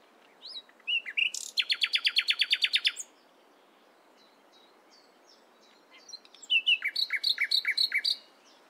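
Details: Nightingale morning song: a rapid chattering trill of roughly fifteen loud notes, a pause with faint distant notes, then another fast rattling phrase.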